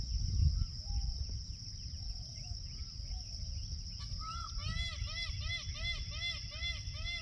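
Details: Peacock calling outdoors in a natural setting: after a quieter opening of scattered small bird chirps, a rapid run of arched, ringing harmonic notes repeats about twice per second, over a steady high insect drone and low wind rumble.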